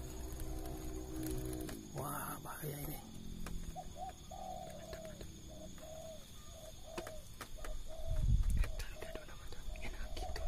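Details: Spotted doves calling after rain at 5 pm, when four wild birds flew down to a decoy bird: soft low coos repeat in short series through the second half. Men talk at the start, and a thud sounds near the end.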